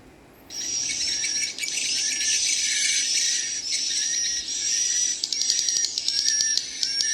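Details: Swiftlet chick calls played back, mixed with adult swiftlet sounds, the chick call being a quick 'ci c c': dense high twittering and chattering over a thin steady whistled tone, starting after a brief near-silence and turning choppier with sharp ticks near the end.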